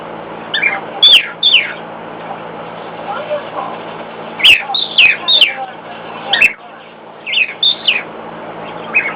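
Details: A pet cockatiel sings loudly at the sound of a hairdryer in another room, giving groups of strong, descending whistled notes in phrases a few seconds apart, with a faint steady drone behind.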